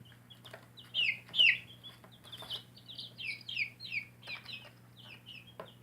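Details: Baby chickens raised in a backyard, peeping in high, downward-sliding chirps, repeated irregularly with several chicks overlapping; a steady low hum runs underneath.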